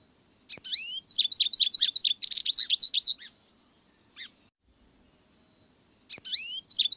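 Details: An American goldfinch delivers a three-second burst of fast, high twittering notes, then a lone short chirp after a pause, and starts another bright twittering phrase near the end. The background is quiet.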